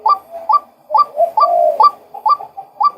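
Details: Sharp repeated notes of a male white-breasted waterhen mixed with lower, drawn-out falling notes, giving an uneven, busier rhythm over a few seconds.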